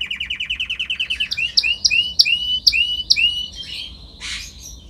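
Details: Canary singing in a training recording: a fast rattling trill of rising notes, then a series of clear upswept whistles about every third of a second, ending in a brief buzzy burst.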